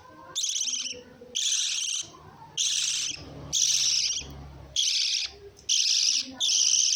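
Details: Lovebird squawking in rough, high, buzzy bursts about once a second, with faint low rumbling between some calls.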